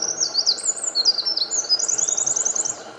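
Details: Eurasian wren singing in morning sunlight in Japan on 8 May 2014: a rapid, very high run of thin twittering notes and trills, ending in a fast rattling trill, over a low steady background hum.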